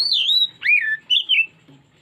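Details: Oriental magpie-robin song used as a lure: clear whistled phrases, a long wavering high note followed by a dipping slur and two short rising-falling whistles, all within two seconds, quiet background.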